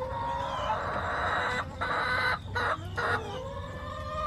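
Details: Backyard chicken flock filmed on 20 September 2024 by a backyard camera: drawn-out, harmonic, nasal calls overlapping one another, with short breaks between bursts and a steady background hiss.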